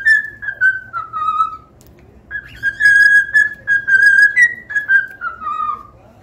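A cockatiel whistles a run of clear, slightly falling notes in short phrases, then a longer warbling sequence, with faint background hum.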